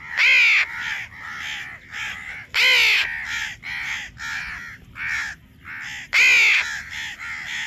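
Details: Baby crow calling: a run of harsh, nasal, rasping caws in quick succession, roughly two per second, with several louder, longer strident cries standing out among them.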